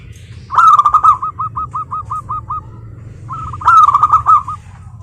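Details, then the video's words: A close local zebra dove gives two loud rolling phrases, each a rapid burst of looping notes trailing into a fading string of evenly spaced curled notes, with a faint low hum. "suara burung perkutut, GURU VOCAL JITU atasi kutut lokal gacor untuk pancingan perkutut agar bunyi"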